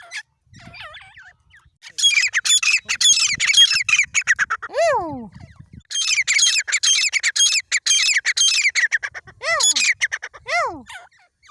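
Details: Grey francoline calling in long series of harsh, scratchy, fast-repeated notes, with a few clear notes falling steeply in pitch scattered between the runs.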